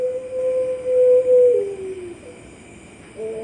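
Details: Puter pelung dove entered in an online song-art contest in Sragen, Indonesia, October 2021: a long steady low coo that slides downward at the end, then a softer rising note, over faint steady hum.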